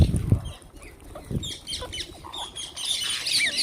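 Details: Wild green parrots calling while being fed: low thumps early, then scattered harsh chattering calls building into a dense, high, screechy chorus near the end.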